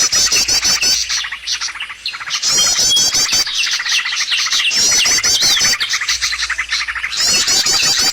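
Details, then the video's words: Lure recording for trapping birds, full of fast high twitters and chirps. Bursts of rapid trills and repeated squeaky notes are broken by brief quieter gaps near two and six seconds. "SUARA PIKAT BURUNG paling d cari!!"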